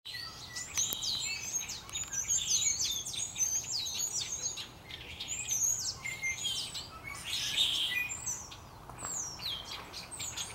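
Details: Small birds gathered atop a maple tree on a cloudy, darkening early afternoon before a storm in Central Saanich near Victoria, British Columbia, Canada; dense overlapping chorus of high chirps, trills and whistled notes, many birds singing at once.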